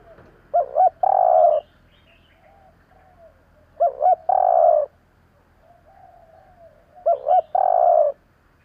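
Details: Spotted dove calling to excite decoy birds: three regular phrases about every three seconds, each a paired short hoot then a long rich coo, with faint soft notes between phrases.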